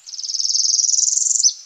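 Northern Parula song: a high, rapid buzzy trill climbing steadily for over a second, then snapping off in a short, sharp downslurred note at the end.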